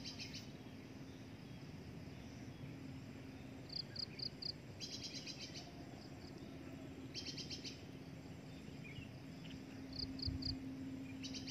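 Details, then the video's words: Drongo, a breeding adult, repeating short harsh buzzy bursts several times, with clusters of quick high ticking notes between them and a steady low hum underneath. "INDUKAN SRIGUNTING"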